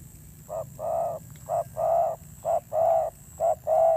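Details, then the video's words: Spotted dove, a wild-caught bird, delivering harsh thổ gù coos: four pairs of low notes, a brief clipped coo then a longer steady one, spaced about one second apart over a quiet background. "Thổ Gù âm dữ"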